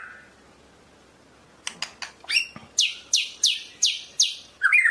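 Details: Medan-type white-rumped shama: after a short quiet start, a run of sharp clicks, then a rapid series of high downslurred notes about three per second, ending in a lower warble.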